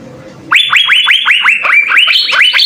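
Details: Blue-winged leafbird in jamtrok song, ngekek style, played as a tutor recording: after half a second of low murmur, a sudden fast run of bright rising notes, ending in higher strident notes.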